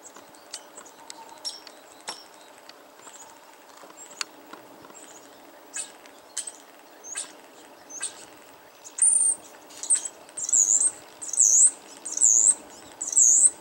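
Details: A female European starling that visits a yard alone many times a day, recorded 21 March 2013, gives sharp, very high squeaky chirps about once a second after soft ticks and faint clicks, showing she is happy.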